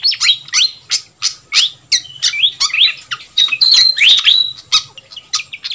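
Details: Fantail flycatcher calls played to lure wild birds, a busy, noisy track: sharp clicks and scratchy chirps mixed with rising whistled notes, fast and irregular, with very little background noise.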